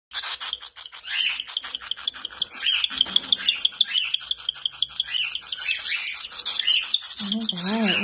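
Cockatiel chicks give rapid, raspy, pulsing begging calls, several per second, while being hand-fed.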